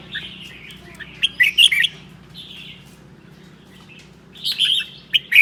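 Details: Red-whiskered bulbul of the seven-claw type from Sơn La, Vietnam, in 'ché' song on a cold day: a burst of scratchy chattering notes, a quiet gap, then another lively twittering burst.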